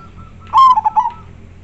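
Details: Single rolling coo from a local zebra dove, a keen caller used to attract wild doves: a bright clear first note sliding into three quick throbbing pulses, all under a second, with a faint steady tone before and after.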